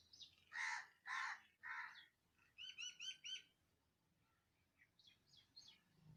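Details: Calling birds in Andhra Pradesh, India: three loud harsh notes, then a quick set of four looped chirps and softer twittering afterward.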